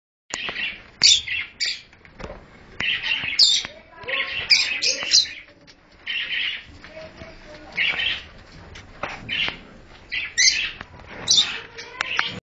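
A cockatiel chatters in quick bursts of shrill, scratchy chirps and squeaks.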